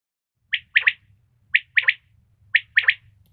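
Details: Common quail, female, giving a three-note call: a sharp note followed by a quick double note, repeated once a second in a clean, regular pattern with a faint low hum beneath.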